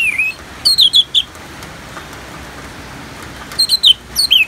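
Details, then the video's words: Orange-headed thrush ngeplong singing with a rain soundtrack: a short whistle, then two bursts of rapid, sharp, high chirping notes separated by a quiet pause, rain hissing throughout. "Terapi ANIS MERAH Ngeplong dan Suara Hujan ALAMI"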